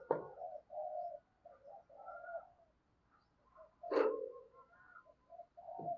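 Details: Spotted dove used as a decoy, calling and cooing to draw in wild doves: low, hollow, rounded coos in short runs, with sharp clicks or taps in between.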